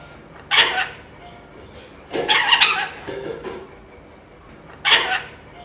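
A lorikeet imitates a cough with harsh, breathy bursts, one near the start, a longer broken run around two seconds, and another near five seconds.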